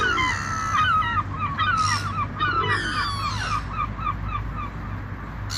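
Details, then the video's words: Seagulls in flight with the sound of the ocean: a chorus of strident, laughing, stepped cries, several birds at once, broken by bursts of breaking-wave hiss and a steady low hum. "Seagull Sounds"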